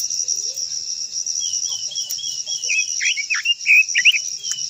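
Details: Japanese white-eye song, a long-voiced song used to stir other white-eyes into singing: quick, high, twisting warbled notes that rise and fall, growing louder after the first second and a half, over a loud, steady, shrill insect drone.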